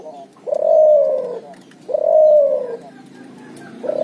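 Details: Hybrid cuhu dove from a puter and tekukur cross calling in ngoar nguku style: drawn-out, hollow coos that sag slightly at the end, two full phrases and the start of a third, spaced roughly 1.5 seconds apart.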